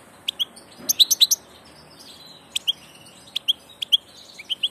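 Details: Passage European goldfinch twittering busily, with quick clusters of sharp high chirps and slurred tweets spread through the clip.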